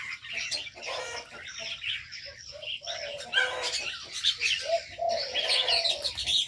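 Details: Crowded aviary of birds: irregular high chirps and tweets overlap constantly, punctuated by short lower squawky notes roughly once a second and occasional clear whistled slurs.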